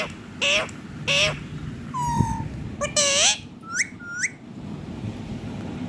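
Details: Singing, dancing pet ringneck parrot mixes rough, buzzy, speech-like bursts with a level whistle and two short rising chirps near the end.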